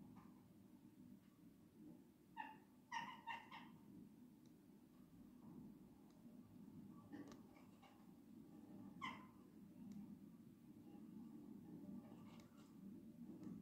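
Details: Western jackdaws raiding a bird feeder on 16 December 2022 give short, sharp 'chack' calls, some single and some in quick pairs, at irregular intervals over a steady low background rumble.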